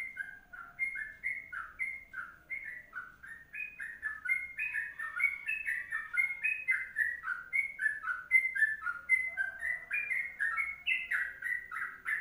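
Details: Long ropelan-style song of a Sooty-headed bulbul, a tutor recording: an extended rush of fluty slurred whistles, fast and tumbling, up and down in pitch, with a soft lower warble briefly midway.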